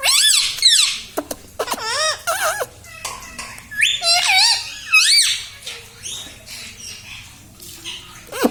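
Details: Pet parrot that talks, saying mummy papa; quick series of loud looping, up-and-down voiced syllables in the first half, followed by softer scattered squeaks and rustling.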